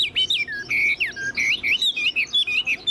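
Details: Tame caged Chinese hwamei with a fanned tail, kept as a pet bird in Vietnam, sings a fast run of loud, clear whistled phrases. Slurred rising and falling notes come in quick bursts, several per second, with no other sounds.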